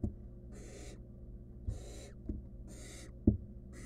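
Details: Harsh, broadband hissing bursts from a wild barn owl nestling attempting to eat a stolen rodent by itself, repeating about every second, interrupted by several dull knocks and bumps inside the nest box.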